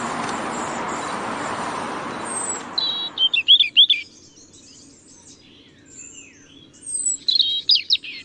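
European robin singing short, high, tinkling phrases of thin varied notes, separated by pauses. A broad rushing noise, like wind or a passing vehicle, fills the opening seconds.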